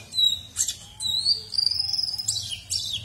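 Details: Actively singing kolibri ninja sunbird, used to teach oriental magpie-robins and white-rumped shamas; a long thin whistle rising slightly, followed by a rapid stuttering trill and sharp high notes.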